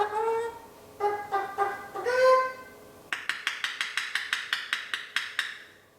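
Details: Young male eclectus parrot, kept as a pet, imitating a chicken. It gives throaty harmonic clucks and one louder drawn cluck, then a fast series of about a dozen sharp, raspy clicking pulses.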